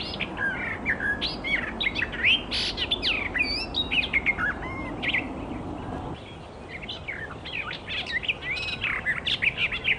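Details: Icterine Warbler in the wild delivering a long, varied, rambling song of quick whistles, chattering notes and sharp upslurs, with a brief pause midway before the jumbled phrases resume, over steady outdoor noise.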